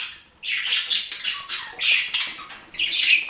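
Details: Budgerigar giving a string of harsh, scratchy squawks, about five separate bursts after a brief silence, each rising then fading.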